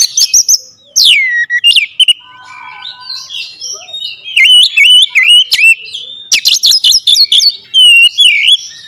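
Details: Oriental magpie-robin lure song with sharp, strong bursts: steep downslurred whistles, a soft low warble, then dense clicking and rapid whistled notes in energetic runs.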